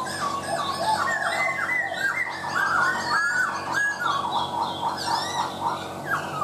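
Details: Laughingthrush pouring out a continuous stream of bright, slurred whistles and chattering notes, repeating short upslurred phrases, backed by a low steady hum.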